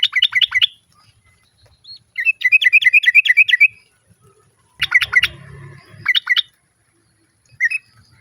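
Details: Female sooty-headed bulbul calling the male as other birds respond. Short bursts of fast, evenly spaced chirps, one run of about eight notes, and brief silent gaps. A faint low hum is heard in places.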